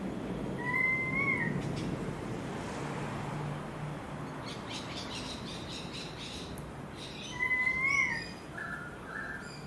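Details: Singing currawongs in a garden in Enmore, New South Wales: two widely spaced rising whistled calls, each with a fainter lower harmonic, some short chirps from other birds between them, and steady low traffic-like rumble.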